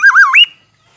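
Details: Black-naped oriole, Aceh: the close of a mellow warbled whistle, two rolling dips and then a quick upward sweep to a held high note.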